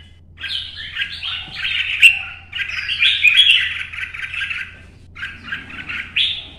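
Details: Early-morning solo competition singing by a red-whiskered bulbul moving along its perches: dense chattering warble sustained for several seconds, a brief break, then a shorter bright closing phrase.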